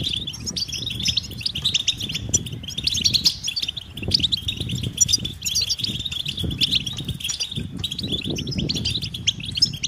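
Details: European goldfinch mating and readiness calls, aimed at silent males: an unbroken wash of high twittering chirps from several birds, with repeated low rustling and fluttering sounds.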